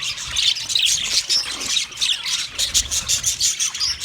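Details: Budgies, 29 February 2024: dense, continuous high chirping and twittering from several birds, with short squeaky notes overlapping throughout and no pauses.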